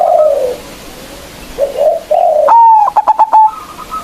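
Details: Local zebra dove with a loud voice, a lure to make opponents sing: falling soft coos, then a bright whistle and a rapid train of clipped notes, trailing into a level high tone.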